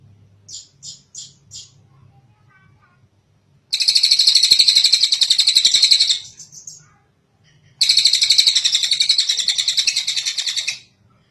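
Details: Tengek cililin kingfisher giving long calls, meant as a tutor recording for other birds. Four quick high notes open, then two extended, loud, grating trills of rapid pulses, each around three seconds, with a quiet gap between.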